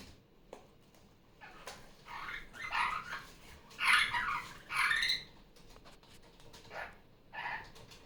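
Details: A caged female superb parrot, just off her nest, makes raucous, grating calls during Sunday morning play indoors. The calls run in a dense burst, then space out, over a faint room background and tablet playback of other superb parrots.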